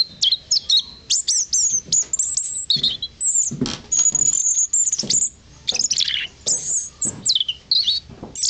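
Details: A European robin at Blists Hill sings high, thin, varied phrases of quick trills and sliding whistles, with brief pauses between bursts and faint low thumps beneath.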